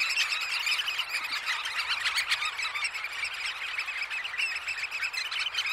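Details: Early-morning roost of Eurasian oystercatchers at Snettisham recorded at close range; countless shrill piping calls overlap into an unbroken, busy chorus with no other clear sounds.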